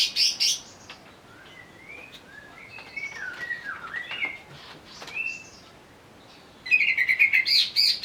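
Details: Provoked and agitated greater green leafbird delivers loud chirps, then a quiet series of varied whistled upslurs and downslurs, and ends in a rapid buzzy chattering burst.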